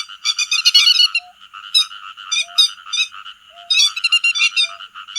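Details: Flock-gathering calls of grey-headed lapwing, played for netting day and night: clustered grating, ringing notes in uneven bursts over a steady buzzy backdrop, with a faint short low whistle every second or so.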